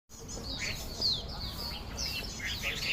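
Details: Loud Chinese hwamei (melodious laughingthrush) singing a rapid run of high, sliding whistled notes and short chirps, with a steady low rumble and a faint human voice underneath.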